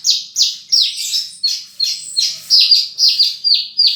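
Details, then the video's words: Horsfield's bush lark singing a quick series of high falling notes, about three per second, varying slightly in pitch and sometimes doubled, with no other sounds. "Burung Branjangan Gacor full isian"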